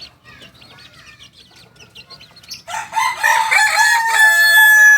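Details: Two-month-old Kokok Balenggek chick, a singing chicken breed from Tigo Lurah, Solok regency, West Sumatra, crowing: faint chirps, then a loud, harmonic, multi-note crow fills the last two seconds.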